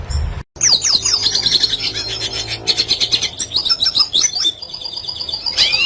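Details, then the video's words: Classic, energetic red siskin song meant for teaching other birds to sing: after a brief thump and gap, a rush of high twittering, buzzy trills and rapid stuttered notes, ending on a sustained buzz and rising sweep. "Red Siskin Klasik Gacor Cocok Untuk Masteran Burung Bahan Agar Cepat Bunyi"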